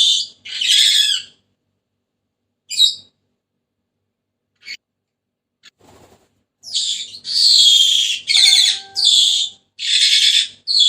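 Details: Senegal parrot giving sparse single squawks at first, then a burst of loud, rasping screeches toward the end, with a thin steady whistled tone briefly overlapping.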